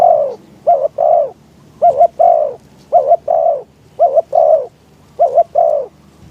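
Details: Decoy spotted dove used in trapping, cooing to attract wild doves on a windy day. Six steady phrases pair a short double coo with a longer falling coo, repeated roughly once per second.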